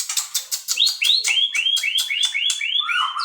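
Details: Captive-bred white-rumped shama repeating about nine rising upswept whistles in a quick steady series, with sharp clicks underneath.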